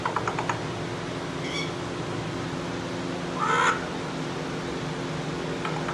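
A Moluccan eclectus parrot gives a single harsh, crow-like screech midway, with a few faint clicks earlier over a steady background hum.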